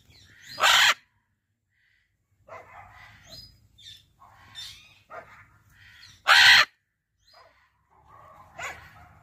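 A macaw gives two loud, harsh, raucous screeches about six seconds apart, with softer grating chatter and mutters in between.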